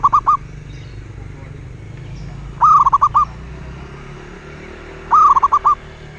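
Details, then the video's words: Three cooing song phrases of a local wild zebra dove about two and a half seconds apart. Each is a rising first coo trailing into four or five clipped, rolling notes over a steady low hiss. "Suara Burung Perkutut LOKAL alam"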